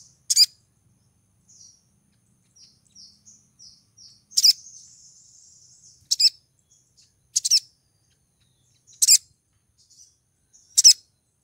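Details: Calling to draw in a male, a female Brown-throated Sunbird in heat gives six piercing high chirps at irregular gaps. Brief whistled notes and one longer buzzy trill fill the spaces between them.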